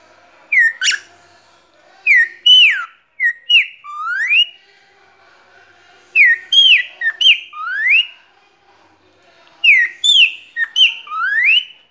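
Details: A tame male pet cockatiel singing while perched on a hand whistles a short tune of clear rising and falling notes, repeating the same phrase three times about every three and a half seconds.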